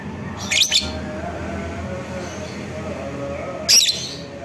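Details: Lovebird ngekek trill, used to provoke a rival into fighting: two short, harsh, high-pitched buzzy chirp bursts about three seconds apart over a low steady background hum.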